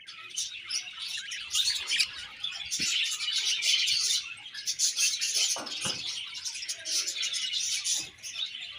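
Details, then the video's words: Happy colony of budgerigars chirping: a dense, continuous high warbling chatter of many overlapping birds, with busy twittering throughout and a few short clicks and knocks underneath. "Budgie birds Happy Colony Chirping"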